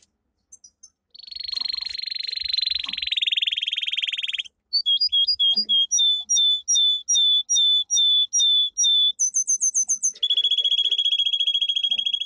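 A domestic canary sings loud, high tours: a long buzzy trill, then a series of quick repeated whistled notes, a rapid high rattle and another sustained trill.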